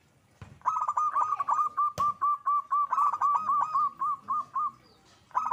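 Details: Zebra dove (perkutut) in lively song: a fast series of clear notes near one pitch, each with a short upward flick, about four a second, running roughly four seconds before a brief pause and restart.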